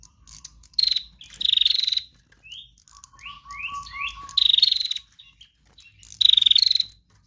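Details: Female bar-winged prinia song used to lure other birds: four strong rattling, pulsed trills with short upslurred whistled notes in between and a low steady trilling tone underneath mid-clip.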